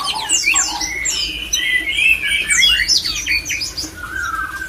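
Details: Mating call of a white-rumped shama, used to bring other shamas into breeding condition: rapid high swoops and chips run into sustained warbled whistles, closing with a long lower whistle, over a soft steady drone.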